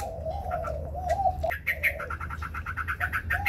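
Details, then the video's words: White black-throated laughingthrush competing and spreading its wings, giving a low fluting note run followed by a rapid pulsed series of brighter repeated notes; low background hum. "Hoành hoạch trắng hót đấu xòa cánh"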